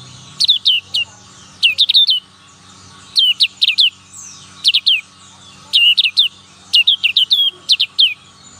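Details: Young black-capped white-eye learning to sing, in the ngalas nembak style: short bursts of two to four sharp, high descending whistled notes, repeated about every one and a half seconds, with a faint low hum beneath.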